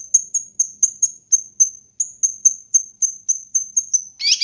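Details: Kinoi bird master recording for bird training and luring: a long, even run of about sixteen shrill, high whistled notes, roughly four per second, ending in a brief harsh chatter.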